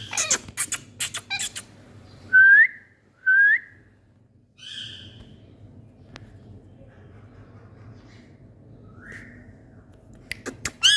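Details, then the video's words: Indian parrots playing and talking: two short rising whistled notes a second apart, later a fainter whistle and a burst of harsh high calls at the end, with scattered clicks and tapping in a quiet room. "Indian Parrots🥀Playing Talking"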